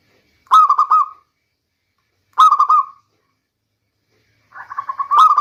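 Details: Song of a local zebra dove, used as a rainy-season lure: three separate bursts about two seconds apart, each a quick run of bubbling, rolling coos that trails off. The last burst starts softly and builds.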